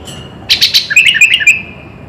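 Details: Sooty-headed bulbul full song with filler phrases, used to get kept birds singing more: a quick run of bright chirps followed by short, warbled whistled notes, over a steady high tone and faint background hiss.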